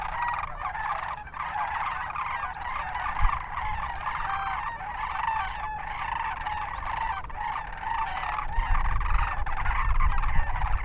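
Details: Wintering wild Sandhill Cranes in the Hatch Valley near Hatch, Garfield and Rincon, north of Las Cruces, southern New Mexico: a large flock gives overlapping rolling, rattling bugles, a steady chorus of throaty trills with low rumbling noise beneath.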